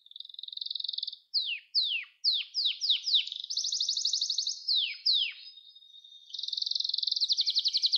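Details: Canary singing, recorded as song training for young canaries: a buzzy trill opens, followed by a series of sharp descending whistled sweeps, a bright rapid trill, more falling sweeps and a closing fast trill.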